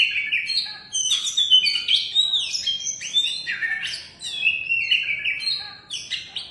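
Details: Oriental magpie-robin, a first-place competition-winning bird, singing a continuous stream of varied whistled phrases, rising and falling slurs and short chirps with scarcely a pause.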